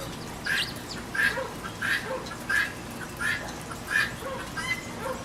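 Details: Guinea hen squawking persistently at a backyard feeder in the rain: a steady series of harsh, grating calls about every 0.7 seconds, each with a brief bright edge, rain hissing beneath.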